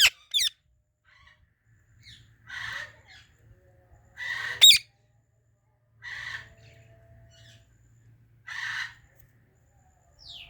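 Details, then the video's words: Ringneck parrot calling: two loud, sharp descending screeches near the start and middle, separated by three harsher, rasping squawks spaced about two seconds apart, over a faint low hum. "Talking Ringneck Parrot Natural Sounds | Parrot Chirping Sounds"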